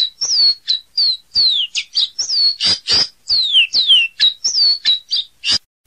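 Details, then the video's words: Caboclinho song: a fast run of clear, high whistled notes, many sliding downward, others short and sharp, delivered in a steady string with brief gaps. "Canto do Caboclinho"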